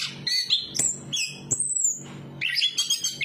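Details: Chestnut-capped thrush giving a few clear whistled phrases, one long high sliding whistle followed by a short silence, then a tumbling burst of notes, with a quiet low drone behind.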